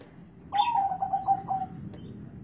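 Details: Zebra dove with a deep bass song: a single rolling phrase of rapid, evenly pitched coo pulses tapering into a soft sustained ending, with faint background hum.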